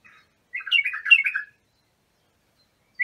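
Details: Iraqi bulbul (abu shuaib) song for training young birds: a single bright warbling phrase of tumbling chirps, with a brief note just before it and another starting at the end.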